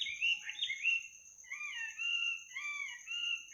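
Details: Bird singing late at night, a soothing sound for sleep: soft flowing warbled whistles layered with lower slurred notes, phrases separated by brief pauses, over a faint steady high tone.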